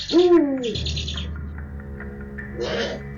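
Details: Eurasian eagle-owl (Bubo bubo) male near an October nest with chicks about six weeks old gives a single deep, slightly arching hoot, a greeting signal to the female once things calm. Steady low hum and brief rustling follow.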